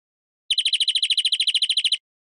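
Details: Brief greenfinch trill of about eighteen quick, identical notes in one and a half seconds, even and level, with nothing else heard.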